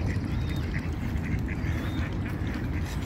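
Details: Ducks in a pond, said to be protecting their young, give short nasal quacks in quick irregular runs over a steady low rumble of wind or water noise.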